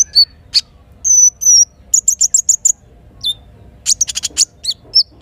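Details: Little spiderhunter morning song with kinin filler, with river and forest sounds. A drawn-out high whistle is followed by a run of quick even chips, then a burst of rapid chattering notes.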